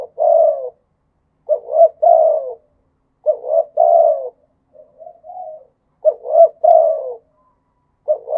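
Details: Spotted dove repeating its khat and nun style cooing phrase about four times. The phrases are short-rising-long and descending, with a soft, quieter warbling coo between two of them. The setting is otherwise quiet.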